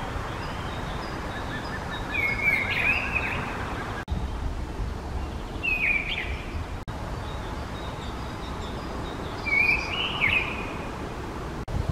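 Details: Three short whistled phrases from a mistle thrush (Turdus viscivorus), each a quick rising-and-falling flourish, separated by pauses of about three to four seconds. Constant low environmental noise and a few faint distant bird notes sit in the background.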